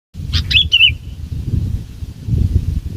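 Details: Bulbul used as a decoy bird for trapping, giving a short burst of bright warbled notes that rise then fall, lasting under a second, over steady low rumbling background noise.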